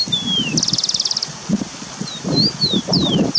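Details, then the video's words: Starling in forest in the wild: a falling whistle followed by a fast buzzy rattle, then several quick slurred whistles, with rustling and low thumping noise throughout. "Burung cucak keling akhir nya bersuara juga"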